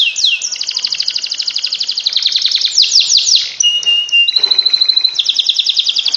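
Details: A canary sings a special song meant to spur lazy canaries into non-stop singing. It opens with rapid high rolling trills, then arching sweeps, a steady flat whistle, and resumes fast repeated tours.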